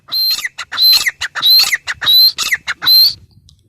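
Grey francolin giving a loud, shrill, harsh call, with about five high grating phrases, each carrying a thin whistled note, repeated roughly every half second.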